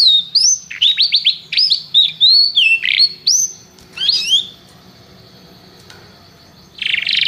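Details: Canary giving bursts of high, sweeping whistled notes and quick chirps in short phrases, then falling quiet for a couple of seconds before a final buzzy burst.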